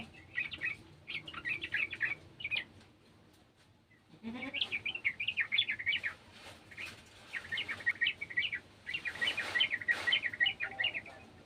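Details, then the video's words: Sooty-headed bulbul joining in with another bulbul's song: bursts of bubbly, chattering notes around mid-high pitch, a pause near four seconds, then longer warbling runs, with a burst of broadband noise near the end. "TRUCUKAN KEBON ikutan bunyi burung trucukan bahan"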